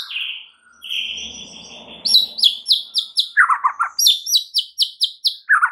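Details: A lure song of a white-rumped shama, meant to excite other shamas: whistled opening notes over faint background rustling, then a fast run of crisp high chips with lower slurred notes mixed in, repeated about four times a second.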